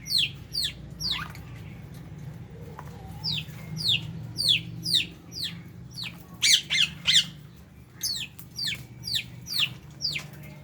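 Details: Lovebirds and budgies sharing a meal; loud, shrill, steeply falling squeaks come in clusters, with several birds overlapping at times, above a low background drone.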